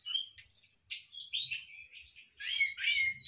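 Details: Caged Orange-headed thrush in a captive breeding setup with a hanging cage pours out dense, scratchy, high warbling. It mixes buzzy notes with quick rising and falling whistles in short bursts, over a faint low background hum.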